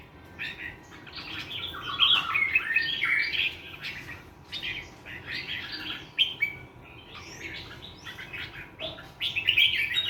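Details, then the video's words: A bird with a pure wild-forest voice gives a morning song of repeated rich warbled phrases, each about a second long, separated by short pauses, bright and varied in tone. "TIẾNG CHIM HOT NGHE THƯ GIÃN /Thư giãn Tiếng chim hót buổi sáng"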